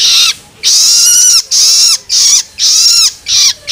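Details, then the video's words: A young long-tailed shrike begging, used to stimulate adult shrikes, gives harsh, raspy, high-pitched squeals. Each lasts under a second and ends in a falling whine, repeated in quick succession with short gaps. "Suara Loloan Anakan Cendet"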